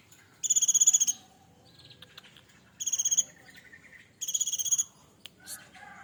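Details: Cinereous tit reared by hand in a cage and now maturing, singing full fill-in song. Three bursts of very rapid high pulses, each under a second, are interspersed with softer lower whistles and a few sharp clicks.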